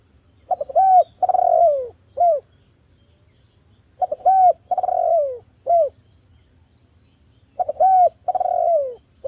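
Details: Spotted dove lure call meant to make doves sing. The same three-part cooing phrase comes three times, about every three and a half seconds: a clipped double note, a long descending purr and a brief closing coo, with a faint low hum behind.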